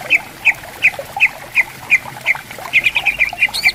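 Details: Greater green leafbird calling back and forth in riverside bamboo forest: crisp, high, single notes spaced evenly at first, then speeding into a rapid stuttering run near the end, with soft flowing water behind.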